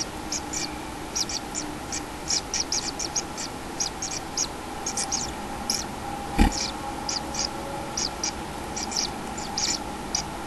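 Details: Common kingfisher nest with a chick, 6 July 2016: rapid high chips in clustered runs with brief pauses, one loud knock near the middle, and a low hum throughout.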